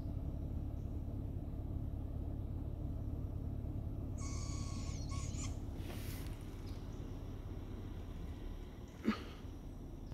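A Barred owl gives one harsh, drawn-out screech lasting about a second, over a steady low rumble, with a sharp knock near the end.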